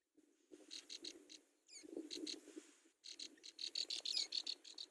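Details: Brown prinia nestlings clamour to be fed: bursts of high, sharp cheeps in tight groups, ending in a fast steady series of several per second, with soft rustling in the nest beneath.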